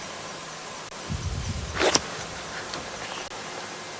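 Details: Steady outdoor hiss with a brief low rumble and a short rustling burst, and no clear animal call.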